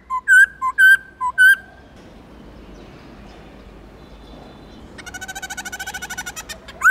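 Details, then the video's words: Black-throated laughingthrush singing many voices, a wild-type song: loud, clear whistled phrases, four quick notes in the first two seconds, then a rapid rattling chatter building to a final whistle. "Khướu bạc má Hót Nhiều Giọng kích trống căng lửa"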